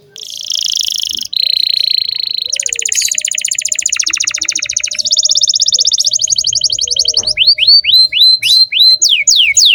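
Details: Canary song aimed at teaching young canaries: long sustained buzzy and rattling trills changing pitch in sections, closing with a series of loud rising whistled slurs.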